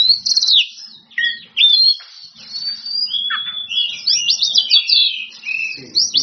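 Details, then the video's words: Oriental magpie-robin singing loudly to call out rivals: fast varied whistles, downslurred notes and a scratchy high trill, with a faint low hum in the background. "Kacer Gacor On Play Ngeplong Manggil Lawan"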